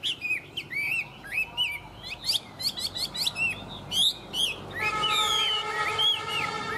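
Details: Tame Chinese hwamei singing strongly: rapid varied whistles and chattering high notes, followed by looping slurs overlaid with steady sustained tones near the end.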